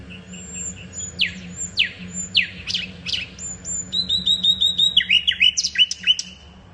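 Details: Varied common nightingale song: high thin whistles alternate with loud, sweeping downward notes, then a quick sequence of clipped whistled notes and sharp chirps repeated many times, with a constant low hum underneath.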